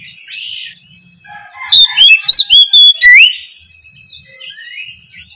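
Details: Morning ngeplong song of an oriental magpie-robin (kacer), played as a lure so lazy birds answer: a soft warble building into about six loud, clean whistled notes bending up and down, then fading into quiet twitters.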